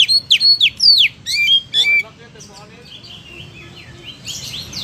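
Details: Oriental magpie-robin singing: loud clear whistled notes with rising and falling sweeps in quick succession for two seconds, then softer twittering and buzzy phrases trailing off.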